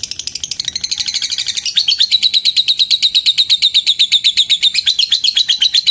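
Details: Lovebird calling a rival, giving a long trill (ngetik panjang) that draws other lovebirds to join: rapid high notes repeated nearly three times a second, growing louder and steadier halfway through.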